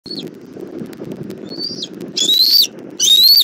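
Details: Bald eagle at a Southwest Florida nest as the mother brings food for the chick, 1 April 2024 at 17:30, nest camera: a few thin, high whistled notes, the last two louder and slightly rising, over low rustling background noise.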